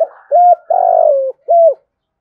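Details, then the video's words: Cooing spotted dove in thúc and gáy style, calling to stir other doves to answer: one low phrase of a short coo, a long buzzy-edged falling coo, then a clipped closing coo, otherwise quiet. "tiếng cu gáy tiếng thúc và gáy gọi"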